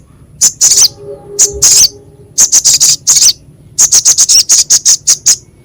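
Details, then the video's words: Crescent-chested babbler in a training recording with a rough, sharp voice for reviving stressed or lazy singers: clustered runs of dry, high, harsh chips with pauses between groups, faint low humming tones underneath. "Masteran Sogok Ontong suara kasar pedas"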